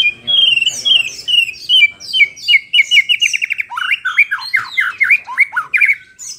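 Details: Shama (murai batu) singing to provoke other shamas: a loud, continuous outpouring of rapid whistled notes, including a quick regular trill, followed by rich zigzagging slurs and high squeaky accents.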